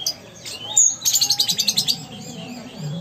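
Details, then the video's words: Sumatran ruby-cheeked sunbird in energetic song. A high whistle gives way to a rapid, even trill of about ten sharp notes, then quiet background chatter. "Konin Gacor Kolibri Ninja Asli Sumatera"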